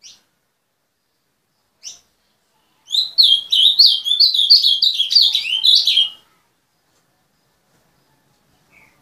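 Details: Singing azulão kept by an owner: isolated short chirps, then a brisk three-second run of tumbling whistled notes that dip and rise in quick succession, ending abruptly in silence.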